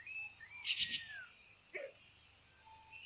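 Red-tailed Minla giving high, thin whistles: a long note slurring downward, a quick bright trill, then a brief chirp a second later, over faint background hiss.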